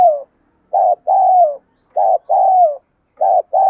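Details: Decoy spotted dove calling to draw in wild doves, its voice described as suited to them; repeated paired coos, a short coo then a longer falling croon, about every 1.3 seconds.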